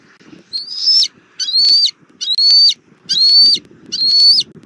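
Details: At a Southwest Florida nest tree on 19 April 2024, around 17:06, bald eagles of one family call loudly: five piercing, level whistled notes in quick succession, each with a brief rising start, above faint low rumbling.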